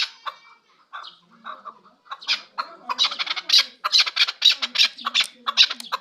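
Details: Chukar partridge from Kabodiyon district, offered for sale; scattered soft notes at first, then from the second half a dense chorus of harsh, high chattering calls in quick bursts.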